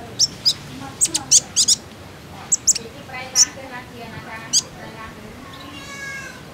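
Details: Common iora sound played as a lure to make birds sing: clusters of piercing high chips early on, then softer nasal, buzzy notes. A faint ringing, ladder-like tone comes near the close.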